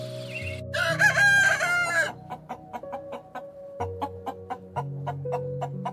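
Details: Chicken crowing: one loud, harsh, strained call lasting about a second, rich in overtones, heard over background music with a steady plucked beat and sustained low notes.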